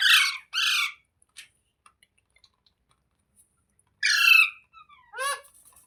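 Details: Parrot giving harsh, grating squawks: two quick ones at the start, then a long pause with faint ticks, then another loud squawk followed by a shorter falling one.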